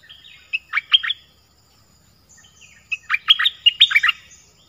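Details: Dok Taeng bird singing two phrases of quick, slurred whistled chirps, the second longer and fuller, with a quiet pause between.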